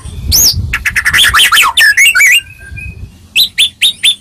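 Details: White-rumped shama singing to provoke a reply from other shamas; a dense burst of varied slurred whistles and chattering notes, a pause, then four spaced bright rising chips.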